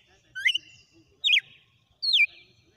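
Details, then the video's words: Wild red-cowled cardinal singing a sequence of "açoites" (whip-like phrases): three loud, clear whistled notes, the first rising, the next two falling sharply, each about a quarter second long and spaced under a second apart, over a quiet background. "O CANTO SELVAGEM DO GALO DE CAMPINA - SEQUÊNCIA DE AÇOITES"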